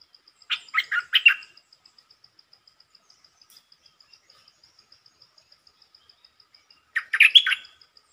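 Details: Short red-whiskered bulbul song. Two bursts of three or four bubbly, warbling notes are separated by about six seconds of near silence, with a regular high insect ticking throughout.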